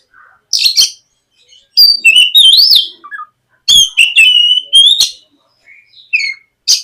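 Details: White-rumped shama song used as a morning lure to prompt a young shama to start singing: loud varied whistles and rich warbled phrases in separated bursts, some rising and falling, with short gaps between.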